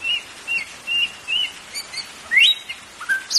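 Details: White-rumped shama song played to stimulate caged birds; a series of short even whistled notes about twice a second, then a sharp rising whistle and quick high notes.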